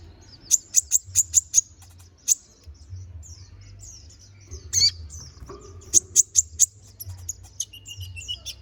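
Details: Konin bird song, full isian, used to tutor magpie-robins: runs of five or six very high, quickly repeated chirps, a pause filled with faint twitters, then another run and some lower squeaky notes.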